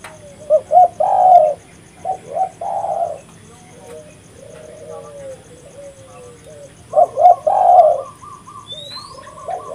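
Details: Spotted dove calling vigorously as a lure: repeated coo phrases, loud bursts separated by quieter low murmurs, with one thin high whistle from another bird near the end.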